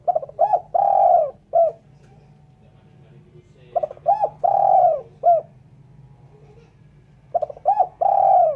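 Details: Spotted dove phrases repeated about every three seconds, recorded cleanly for luring birds: stuttered short notes, a long mellow falling coo and a brief final coo, with a steady low hum throughout.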